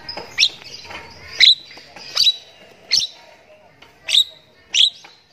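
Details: Morning song of a Javan myna in lively gacor form, made of harsh clicking, rasping bursts roughly every second, each dropping into a brief buzzy tail.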